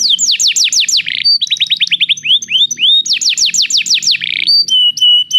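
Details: {'caption': 'Singing canary, used to encourage another canary to sing: repeated falling whistled sweeps in quick runs, short slurred notes, a brief buzz, and a sustained pure tone near the end.'}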